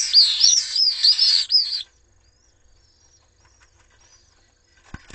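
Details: Three common swift nestlings in a webcam nest at Jerez de la Frontera, Spain, under attack by an intruder with the parents absent: rapid, undulating high-pitched screaming trills for nearly two seconds, then near silence with a faint click.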